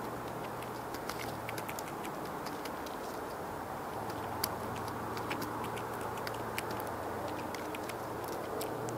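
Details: Steady low traffic rumble with a constant hum, scattered with sharp ticking clicks throughout; no animal voice.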